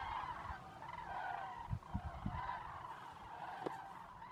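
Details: Common cranes flying in to Zamora lagoons, Spain, at nightfall; steady chorus of overlapping trumpeting calls, with several sharp low knocks in the middle and a click near the end.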